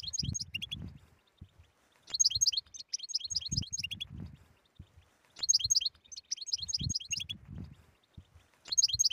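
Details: Stimulating tetsetsa-style song of a European goldfinch, meant to cure a silent goldfinch: quick high twittering phrases come about every two seconds, separated by dull knocks and soft rustling.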